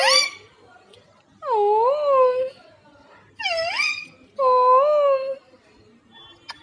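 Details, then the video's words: Household parrot talking and kissing to its owner: four loud, whiny, moan-like spoken syllables, each swooping down then up, about a second long with gaps between. "Parrot Laxmi talking. And kissing to Mummy."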